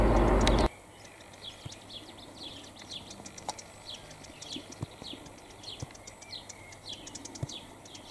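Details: Woodchat shrike, a summer visitor, recorded on Kefalonia, Greece, singing a rambling string of short, high, scratchy chirps and twitters, after a brief loud rumble of handling noise, with soft low knocks underneath.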